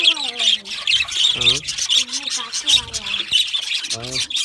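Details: Budgies, Australian parrots, chattering in high raspy chirps, with repeated lower, nasal warbling calls breaking in about every second or two.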